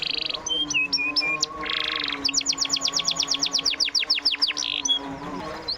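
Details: Canary singing as a lure to restart a silent canary: short high whistles and a buzzy burst, then a rapid rhythmic trill of sharp down-slurred notes, ending in a buzz and scattered chirps, over a faint steady hum.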